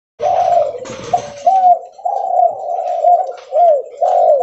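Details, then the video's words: Spotted dove, a leopard-type derkuku, calling loudly and often while walking: low, hoarse cooing phrases that rise and fall, with short gaps between coos and light background noise. "Suara Derkuku Leopard Volume Besar Super Gacor Bunyi Sambil Jalan"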